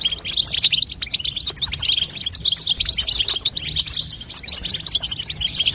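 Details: Female European goldfinch chatter intended to spur a young goldfinch to sing, heard as an energetic, continuous jumble of high sharp chirps and liquid twitters.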